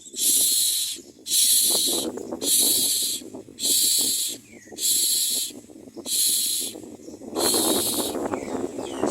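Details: Common myna feeding chicks at a nest; seven loud, wheezy hissing bursts, each under a second with short gaps between, carrying faint steady tones, over soft rustling.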